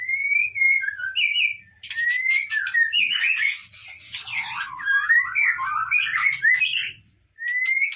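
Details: Singing white-rumped shama, played as a lure to trigger other birds to sing: clear sliding whistles, then a long, complex run of warbled and scratchy phrases, closing with another pure rising whistle.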